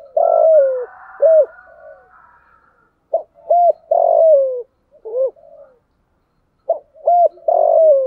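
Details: Decoy spotted dove calling to attract wild doves during windy, rainy weather, 'thổ sấm' voice: short clipped coos leading into longer falling notes, repeated in three phrases separated by brief pauses, with no other sounds.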